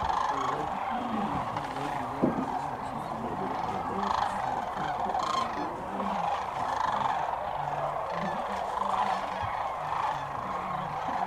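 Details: Sandhill cranes on spring migration, hundreds of thousands gathering at dusk on the Platte River south of Alda, Nebraska, heard from a blind: a dense, continuous chorus of overlapping rolling, trumpeting calls, steady throughout, with a brief low thump near two seconds.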